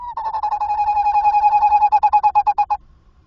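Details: A tawny owl calls while entering a nest box at 21:45 on 27 August 2024: a steady, mid-pitched tremulous trill under three seconds, the pulses growing louder and more distinct, with a faint low rumble.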